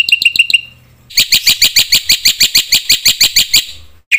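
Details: A black-winged myna gives a lure song to stir other mynas. Four quick notes lead into a pause, then a steady string of loud, harsh, evenly spaced notes lasting nearly three seconds.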